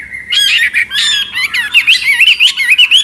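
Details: Dense, rich song from a Chinese hwamei: a steady flow of bright whistles, quick warbled wobbles and sharper harsher notes, run together with only brief breaks.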